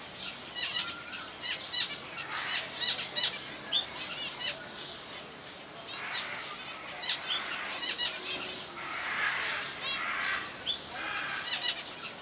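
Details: Zebra finches in a zoo aviary at Jaderpark, Jaderberg, Germany, 2017, give a busy chorus of short, nasal, toy-trumpet calls, with some wing flutters.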